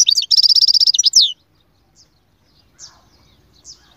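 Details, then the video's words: European goldfinch song: a loud, fast run of high, sharp repeated chirps and twittering notes for just over a second, then quiet with a few faint, scattered high chips. "أقوى تغريد مقنين يجعل المقنين الساكت يسير"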